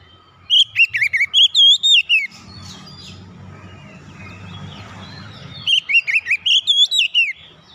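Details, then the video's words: Oriental magpie-robin song, played to get a silent bird singing again. Two bursts of loud, fast whistled notes, sliding up and down and stuttering, separated by about three seconds of quiet low hum. "KICAUN MENGATASI KACER MACET BUNYI KEMBALI GACOR"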